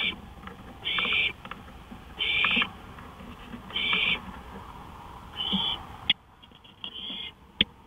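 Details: Night recording of an owl on a porch, 1:53 AM, 5 May 2013; raspy hissing bursts repeated roughly every one and a half seconds, then quieter calls and a couple of sharp taps.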